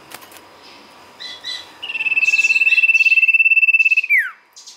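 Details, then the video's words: Sirtu song used as a lure. Faint chirps give way to a loud, evenly pulsed high trill of over two seconds, which ends in a sharp downward slur. "pancingan sirtu gacor"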